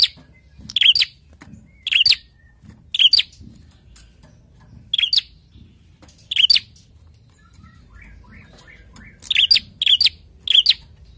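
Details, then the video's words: A prinia, stirred up by a played call and answering it, repeats sharp, high, clipped chip notes about once a second, pauses, then ends with a quick run of three. "Sekali putar prenjak langsung emosi dan ikut bunyi"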